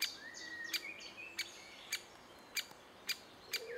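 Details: Great spotted woodpecker adults feeding chicks in June 2011: single hard, sharp 'kik'-like notes spaced about half a second apart, over thin whistles from other birds and a quiet background.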